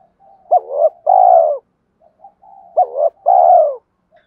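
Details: Fighting coo of a spotted dove, meant to draw wild doves in during trapping; two quick full phrases, each a short abrupt upslurred note, a hump, and a drawn-out loud coo, separated by faint low murmurs.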